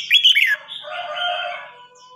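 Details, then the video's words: Red-whiskered bulbul in a Vietnamese singing contest, an old wild-caught bird challenging a young wild-caught one: a short, loud, warbled phrase followed by a lower, softer trailing warble. "Chào mào hót đấu"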